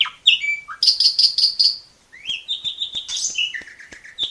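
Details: Asian pied starling (jalak suren) singing long and steadily as a master bird for training young birds: a sharp rising whistle, then a run of bright buzzy notes repeated about five times, a pause, then varied whistled and chattering phrases.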